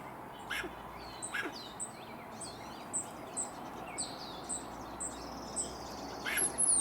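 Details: A hummingbird, said to be a male singing happily in a tree on a hot summer day in the Sierra foothills of California, gives thin, very high chips, roughly two a second, over a steady background hiss with a few soft clicks and rustles.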